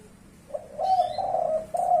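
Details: Spotted dove of the leopard-spotted type, in the five-note "kuk 5" cooing style: low, mellow, hollow cooing held as a rolling phrase, with a faint high bird whistle in the background.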